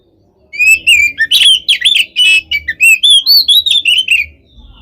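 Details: Kept Oriental magpie-robin singing without pause to stir up rival birds: rich whistled phrases, bending slurred notes and quick chips delivered in an unbroken stream.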